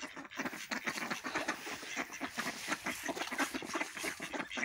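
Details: Several ducks quacking while feeding and fighting: rapid, raspy, nasal quacks pile over one another in a continuous squabble, with no pauses and scuffling sounds underneath.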